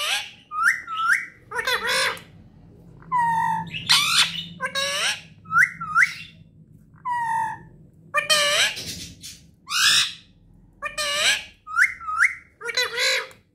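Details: Pet parrot producing a rapid, varied series of sharp squawks and short whistled, bending tones, some rising then falling, delivered in quick clusters across the recording, with a faint low background hum indoors.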